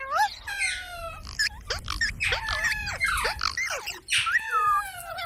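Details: Parrot producing strongly harmonic, nasal calls, several held steady and others bent up or down, delivered in quick irregular bursts with brief pauses between them.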